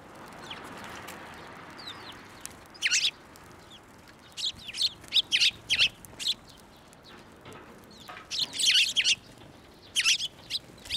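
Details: Sparrows flying onto a hand to be fed at a Tenmangū shrine, recorded 11 March 2024; scattered harsh chirps and short bursts of chatter in loose clusters, with quiet gaps between them.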